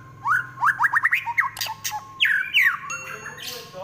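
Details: Fighting white-rumped shama delivering a rapid trotol burst: quick upward-sweeping chips in fast succession, then loud descending slurred whistles, harsh buzzy notes between them.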